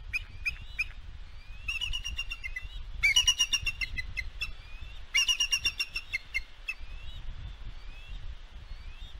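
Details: Female bald eagle on the West End nest, 4 July 2022, calling in victory after dive-bombing an intruding fledgling that attacked her eaglet; loud bursts of shrill, chattering, piping notes alternating with softer thin whistles, over light wind.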